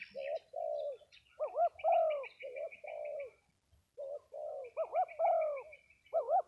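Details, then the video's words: Spotted dove at a gathering of cooing doves in Dong Thap, Vietnam: soft, low hooted coos in grouped phrases, some with quick doubled upward notes, two sequences split by a short silence, with a faint high chattering bird behind. "Cu gáy 67 : Giao Lưu Các Cu gáy Đồng Tháp"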